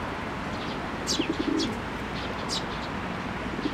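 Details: At a Tenmangu shrine, 22 May 2024, young birds in the nest await feeding by a parent; three or four thin, high squeaks come in a brief cluster over a constant hiss.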